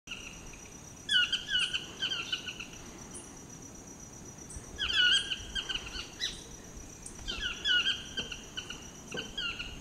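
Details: Displaying chestnut-mandibled toucan in Costa Rica gives loud, yelping bursts of harsh notes, repeated every three to four seconds, over a steady high insect hum.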